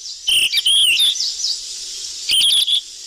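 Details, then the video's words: Golden flycatcher (sikatan emas) gives two bursts of high, busy, noisy chattering notes, each about half a second to a second long, over a steady hiss; a lure call (suara pikat). "Suara pikat burung sikatan emas ribut"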